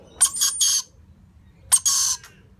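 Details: A baby lorikeet, being fed by its parents, gives harsh, raspy screeches in two bursts about a second and a half apart, the first broken into three quick pulses.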